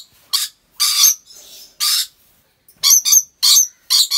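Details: Captive rainbow lorikeets at a wildlife park in Aceh Besar, Indonesia: loud raspy screeches in separate bursts, quicker clipped shrieks following in close succession near the end.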